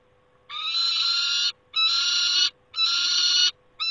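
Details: Peregrine falcon at its nest site in Poland on 28 August 2021: long, harsh, wailing screams, each about one second long, repeated three times at roughly one-second gaps, with a steady faint low hum underneath.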